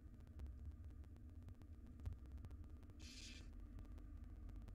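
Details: A barn owl mother feeds her wild nestlings a jird in a nest box. A single harsh, snoring hiss lasting about half a second rises from steady low hum and faint clicks.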